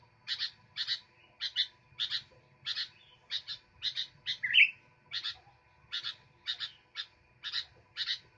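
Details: Sooty-headed bulbul chattering on and on with short paired chirps at regular intervals and one loud rising slur midway, against a faint low rumble.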